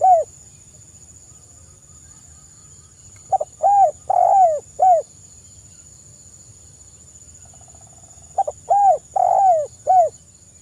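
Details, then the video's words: Spotted dove singing vigorously in the 'kuk 1' crystal-voice style, used as a lure to set other birds singing: two cooing phrases of short stuttered notes then long, slightly falling coos, separated by silence, over a steady high-pitched whine. "suara burung TEKUKUR GACOR kuk 1 SUARA KRISTAL lebih ampuh untuk pancingan"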